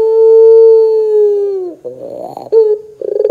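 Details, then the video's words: Lure track of a Barbary dove for coaxing young doves into song. A long, smooth, low coo sags at its close, then comes a rough warbling phrase, a brief coo and a rapid pulsed chuckle. "PANCINGAN PUTER GACOR 100% JOSS TERBAIK 2024, PUTER BAHAN BAKALAN PASTI CEPAT NYAUT BUNYI !!!"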